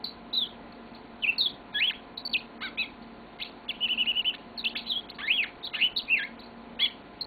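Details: Pet yellow-fronted canary, a caged bird kept indoors, singing a long twittering song of quick chirps, trills and rising-falling whistled notes, delivered in rapid bursts with brief pauses.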